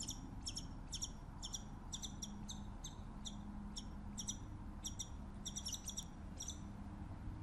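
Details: A scimitar-billed woodcreeper gives a long, fairly even run of high, clipped double notes, about two per second, set against a low droning hum.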